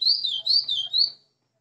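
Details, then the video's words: White-throated seedeater, a kept bird that arrived the day before, sings three clear, high whistled phrases, each sliding up and down, ending within about a second, with nothing else audible. "GOLINHA ASSOBIANDO LINDO"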